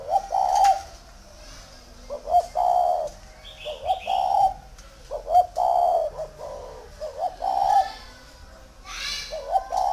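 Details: Caged spotted dove at a Ba Vì dove farm in Vietnam, cooing steadily: about eight short hollow coo phrases in quick succession, each a brief lead note and a longer coo, with a brief high chirp from another bird.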